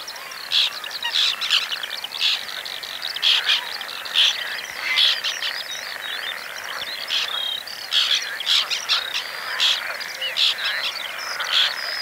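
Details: White-winged terns at a breeding colony in the Oostpolder, nesting there for the second time, 2015: a dense chorus of short, harsh, scratchy calls overlapping continuously, with sharper accented notes every second or so.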